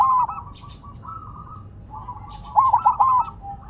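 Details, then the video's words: Zebra dove, a silver-coloured bird placed on the ground, calling steadily: a short burst of quick rolling coo notes near one pitch, preceded by fainter trilled cooing. "Perkutut Silver Tetap Gacor Walaupun Ditaruh Tanah"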